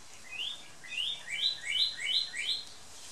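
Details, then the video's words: A northern cardinal, a male in a garden on Big Island, gives a series of about seven loud rising slurred whistles, evenly spaced roughly three per second, against quiet outdoor background noise. "Cardinal singing"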